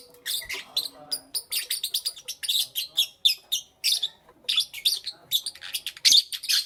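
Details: Pet lovebirds chirp busily in the morning: rapid, evenly spaced shrill chips and scratchy twitters follow one another almost without pause, several birds overlapping.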